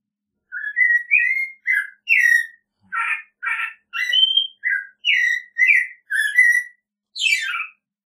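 An American robin sings a run of clear, whistled, rising and falling phrases.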